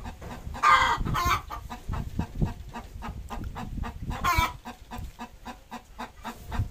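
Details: Desi hen at home around laying an egg, clucking with harsh, broadband squawks and a run of short low clucks, amid rustling and handling noise.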